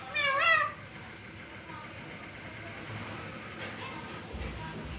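A parrot gives a single short, wavering, nasal chirp near the start, then falls silent over a faint background hum.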